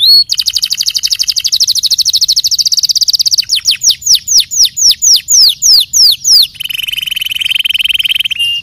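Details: Canary song: a fast rattling trill of dense repeated notes, then a run of clear downward-sweeping whistles about six per second, ending in a steady high buzzy trill held for two seconds.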